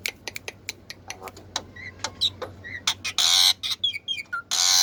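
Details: Black-winged myna in full song, mixing crisp clicks and brief whistles with long loud harsh screeches near the end, delivered as a fast irregular medley.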